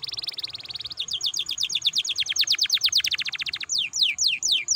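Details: Canary song to stimulate other canaries to sing: a fast high trill, then rapid repeated downward strokes, ending in slower descending slurred whistles.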